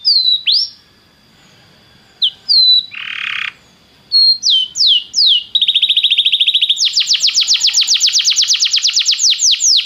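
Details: Belgian canary warm-up song: scattered sharp downslurred whistles and a harsh buzzy burst with pauses between, then a steady rapid trill and a long fast rolling series of high notes.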